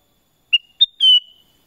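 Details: Clear black-crested bulbul (kutilang emas) phrase: a short whistle, a higher short note, then a prolonged ringing whistle gently falling at the end, in an otherwise silent setting.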